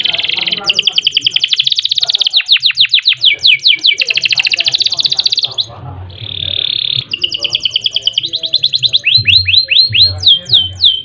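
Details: Kenari (canary) singing gacor, long and rolling: fast repeated down-slurred whistles merging into dense buzzy trills, a steady rattling passage mid-way, then crisp descending notes again. Faint low murmur underneath.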